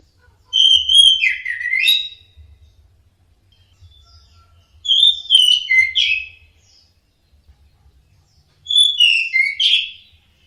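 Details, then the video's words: Three well-spaced song phrases from an orange-headed thrush (anis merah), each a burst of whistled, twisting notes repeated every three to four seconds, with faint low noise. "Kicau Anis Merah Teler"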